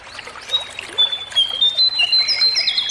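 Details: Natural Sunda laughingthrush (cingcoang) voice used as training playback for captive jongkangan: a series of drawn-out, level whistles, then sharper, higher notes overlapping near the end, with a faint trickling sound beneath.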